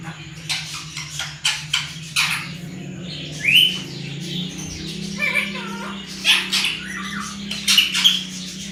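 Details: Talking pet parrot mimicking Sindhi and Urdu words; short clipped voice-like bursts mixed with a rising whistled squeak and chirps, steady low hum underneath.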